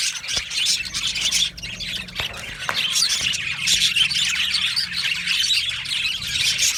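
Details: Australian budgerigar colony in an aviary, singing and chirping: constant high warbling chatter mixed with harsher squawk-like notes, with a few soft clicks or taps underneath.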